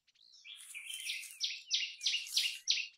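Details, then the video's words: Common tailorbird singing: after a slurred rising opening note, loud sharp downward-sweeping notes repeat about three times a second, high-pitched and emphatic, with a fainter high chatter above. "Common Tailorbird Call ! Common Tailorbird Sound ! Common Tailorbird Song"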